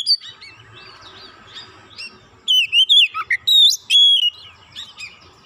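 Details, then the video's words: Emotional song of a provoked Oriental magpie-robin: soft background twittering, then a loud burst of slurred whistles, dipping notes and a long level whistle, followed by quieter chatter. "Kacer sekali pancing langsung emosi bongkar isian"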